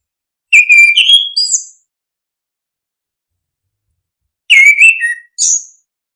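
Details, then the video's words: Two separated orange-headed thrush phrases to encourage reluctant singers: each a rich whistle rising into a high slurred flourish, the second with a short extra note, with silence between. "Pancingan anis kembang biar ngeplong, solusi burung malas bunyi"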